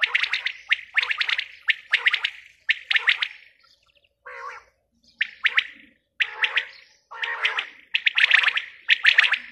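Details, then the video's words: A female quail repeats clusters of two or three crisp, clicking notes about once a second. A short pause holds a couple of softer, lower notes before the quick phrases resume. "Batair ki awaz | Bater awaz | Quail sound | batai madi ki awaz"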